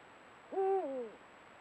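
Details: Eurasian eagle-owl of a pair, caught by a trail camera at golden sunset: one deep hoot that swoops up, holds level, then steps down and fades in a falling tail, over a quiet background.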